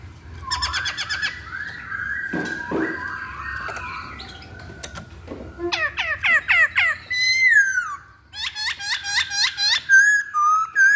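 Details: Chinese hwamei song with varied whistles and buzzy phrases, then loud rapid series of upswept notes, a descending slur and more quick repeated notes.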